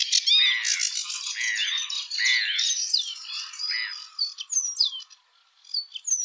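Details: Eurasian penduline tit singing in Europe: a busy, jumbled twittering of high chirps and short slurred notes, ending with several thin, clear whistles that slide steeply downward, separated by brief pauses.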